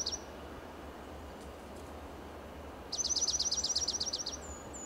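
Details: Dark-eyed junco (Junco hyemalis) perched atop a dead Monterey pine trunk in Del Monte Forest, California, sings a quick, high, musical trill of about a dozen identical notes under two seconds, with a few thin chips before and after.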